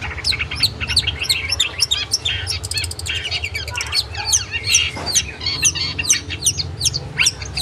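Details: Long-tailed shrike song used to tutor a kept bird to sing actively: continuous varied chattering, with sharp high chips and brief rattling trills.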